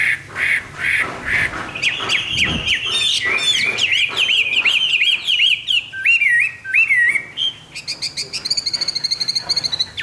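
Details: Hwamei in full morning voice, mixing harsh, rasping bursts with quick, bright whistled trills, then a steady, rapid ticking series at the close.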